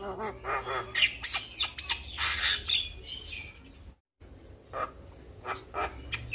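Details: Javan myna in lively full song, used as a training recording to get young mynas responding quickly; harsh chattering bursts, squawks and short sharp whistles come in rapid irregular runs, broken by a brief dropout midway, over a low background hum.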